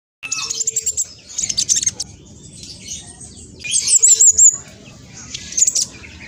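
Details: Spotted black sunbird singing at speed as a lure so other birds respond: bursts of high twittering, a quick zigzag trill of thin notes mid-way, and sharp squeaky accents.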